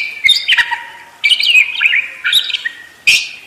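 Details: Caged parakeet singing a full, ornate song: bursts of high, warbling chirps and twitters in short phrases separated by brief pauses, with sharp clicks between phrases.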